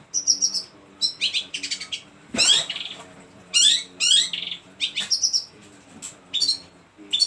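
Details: Shrike showing off a varied song full of mimicked phrases: high, rapid chattering and buzzy trills, sharp chips and sweeping notes in quick bursts, with a faint low hum beneath.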